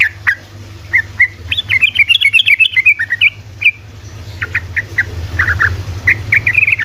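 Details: Fast 'ropelan' song of a sooty-headed bulbul, played to stir silent bulbuls into singing: a lively tumble of clipped, bubbly whistles that rise and fall, then spaced chirps and a closing quick run, with a constant low hum behind.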